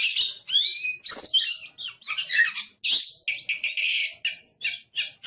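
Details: Aggressive Oriental magpie-robin singing noisily, a rapid run of sharp chirps, short whistles and scratchy buzzy notes in quick bursts with brief gaps, all high-pitched.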